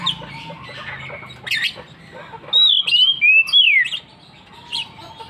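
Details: Ngeplong song of an Oriental magpie-robin: soft chattering and squeaky notes lead into a loud series of four sliding whistles, each dipping or falling, then quieter chirps and a faint steady tone.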